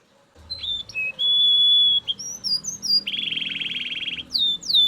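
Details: Belgian canary's loud song of long level whistles and rising slurred notes, then a dense buzzy trill, ending in high downward swoops; faint low rumble near the start.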